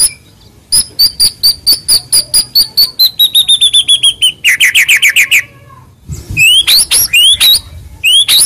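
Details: Song of a white-rumped shama used to provoke rivals into replying: a fast run of high repeated notes slowly falling in pitch, a brief pause, then rising whistled slurs.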